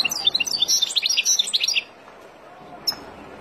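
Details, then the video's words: European goldfinch from the wild, song for teaching young birds: just under two seconds of rapid, lively, liquid twittering, then quiet with one sharp high note. "اروع تغريد طائر الحسون البري لتعليم فراخ"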